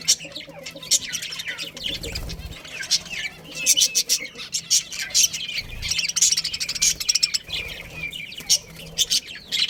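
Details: Budgerigars, a breeding pair within a colony, keep up lively chattering: quick runs of sharp high chirps and scratchy squeaks, rising and falling in loudness, over a low hum.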